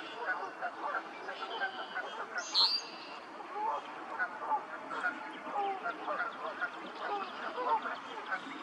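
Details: A flock of male green-winged teals with an American black duck at Beaver Marsh, Cuyahoga Valley National Park, Ohio, 12 March 2020: dense, overlapping chatter, broken by short, high whistled peeps and a brief sharper note mid-clip.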